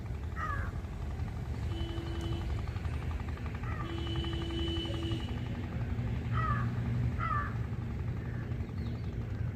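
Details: A bird calls repeatedly with short, harsh, caw-like notes scattered across the stretch, several in quick pairs. A constant low mechanical drone and steady humming tones run underneath, like an engine or passing aircraft.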